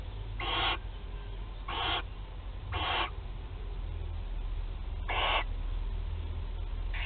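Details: Barn owl chicks at a nest in Théding, France, on 8 July 2020, during their first feeding: harsh hissing screeches about a third of a second long, repeated roughly every second with irregular gaps, over a steady low hum.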